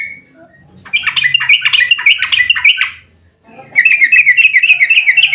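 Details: Yellow-vented bulbul in an emotional fighting mood, giving a long rapid 'ropel' song meant as a lure to make other bulbuls answer; bubbly chattering notes for two seconds, a pause, then a fast even run of bright twittering notes.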